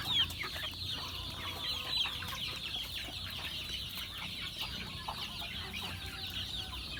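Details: Farm chickens during feeding, a steady wash of high, thin peeping from many birds, softer and blurred together, with a couple of sharper notes near the start.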